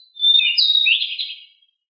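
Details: One loud, dense, scratchy phrase of about one and a half seconds from a pied bushchat, said to be very agile and very noisy and singing in a rolling style.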